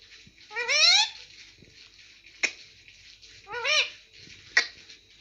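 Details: Pet ringneck parakeet kept indoors saying papa: two rising harmonic squawked phrases with sharp clicks between, in a quiet room.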